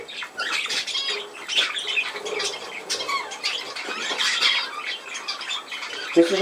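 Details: Steady grating chatter of budgerigars, a jumble of buzzy squawks and short chirps, with a low knock at the very end.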